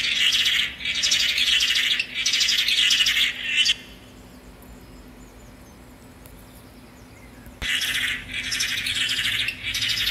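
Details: Tangará song: loud buzzy, rattling phrases repeated three times, then a pause of about four seconds before two more phrases.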